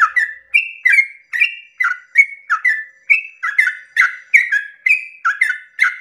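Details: Sooty-headed bulbul singing long 'ropel' song at daybreak to stir other bulbuls: energetic sequence of bubbly whistled notes with rough, buzzy attacks, high and low pitches alternating about twice a second.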